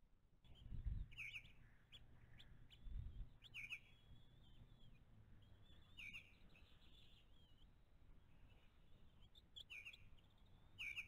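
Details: Five-week-old bald eagle eaglets at the nest being fed breakfast, a freshly caught meal, in late April; thin high chittering calls come in short bursts every two to three seconds over low rumbling wind and handling noise.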